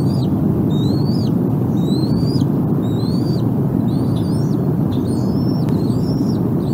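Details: Two hungry bald eaglets at their nest on April 14, 2021, during feeding after a tug-of-war over a bone, one choking until the adult removes it. Thin, high chirping whistles, each slurred up then down, repeat about once a second over a steady low rumble.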